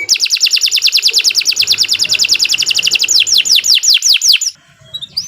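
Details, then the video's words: Long, continuous canary song used to train other birds: a rapid, steady train of short clipped notes speeds along for several seconds, slows into separate downward-sweeping whistles, then stops into near quiet. "Kicau Burung Kenari 122 II LUAR BIASA GACOR PANJANG Cocok untuk Masteran"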